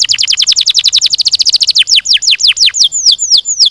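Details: Canary delivering a rapid trill of descending notes, about ten per second, which slows into longer drawn-out slurred whistles.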